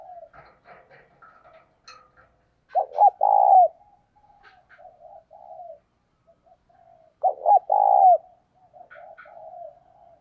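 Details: A spotted dove decoy coos to attract wild doves. Two loud, hoarse triple coos come about four and a half seconds apart, with steady softer cooing and faint high chirps from other birds throughout.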